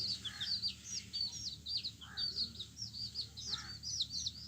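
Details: Yellow chicks of a hen give a string of shrill, rising-and-falling peeps, closely spaced and overlapping, with a few softer lower chirps between them.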